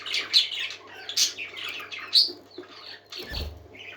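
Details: A group of indoor parakeets in busy chatter: quick scratchy warbles and short whistled squeaks, followed by a brief low thump near the end over a constant faint hum.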